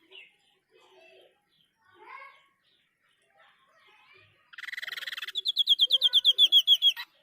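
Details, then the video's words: White-breasted Babbler, called sniper or tepus dada putih, singing actively: a few soft scattered chirps, then a harsh buzzy rattle that turns into a fast series of high, sharp whistled notes. The notes grow louder, about ten in under two seconds. "Tembakan burung sniper gacor"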